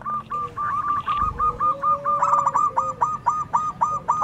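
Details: Local zebra doves answer one another in song: a steady run of short, crisp mid-pitched notes, about four per second, rising slightly in intensity toward the end, with a faint drawn-out tone underneath.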